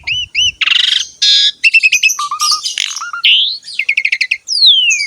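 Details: Asian pied starling in full, energetic song used to coax other birds into singing: harsh buzzy blocks, trilled rattles, paired whistled notes and a long descending whistle, packed tightly together.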